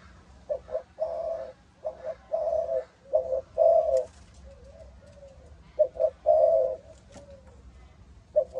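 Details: Spotted dove of a Malaysian line, kept for breeding and sold as chicks, giving its low 'âm thổ' style coo: mid-pitched, burry phrases of two short notes and a longer roll, repeated in groups with brief pauses.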